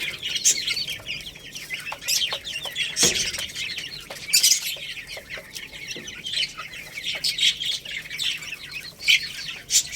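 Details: Growing Lohmann Brown chicks, a young rooster and hen, eating rice: many thin, high peeping calls overlapping continuously, with occasional sharp pecking taps and clicks.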